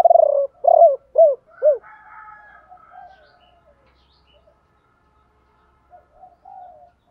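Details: Decoy spotted dove calling to lure wild birds in the ba hậu style, also called bổ ba: four loud, low, arched coos in quick succession, then softer, fainter cooing phrases trailing off with short gaps.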